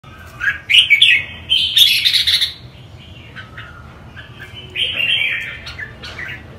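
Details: Red-whiskered bulbul of the northern (bắc) type singing bright, warbling phrases in short bursts, with a loud slurred run near two seconds and a quieter rippling phrase near five seconds, separated by pauses over a low steady background hum.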